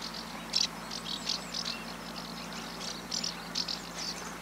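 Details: Common house martins (Delichon urbicum) on a one-hour migration stopover on a 20,000-volt power line between Corrèze and Haute-Vienne, Limousin, central France, 24 September 2015: several birds give dry, rapid chirrups in short bursts over a faint low hum.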